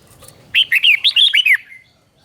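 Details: Red-whiskered bulbul in the doubled 'beul' song style, played as teacher audio for captive birds: one crisp phrase of about eight bright, bouncing whistled notes, some paired, ending in a fading trail.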